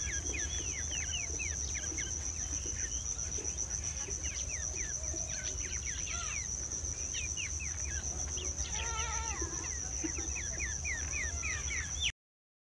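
Striated babblers give a busy chatter of short, sharp chirps several times a second, over a steady high insect whine and a low background rumble.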